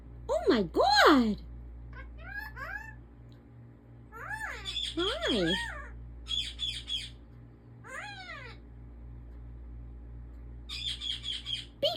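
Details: Talking pet African ringneck parakeet indoors, mixing harsh high squawks with rising and falling voice-like chatter in irregular bursts, with quieter gaps between them.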